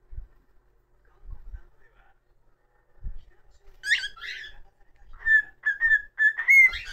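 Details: Pet cockatiel whistling: after a few soft thumps, a burst of rough chattery notes, then a run of short clear whistled notes repeated in quick succession and rising at the end.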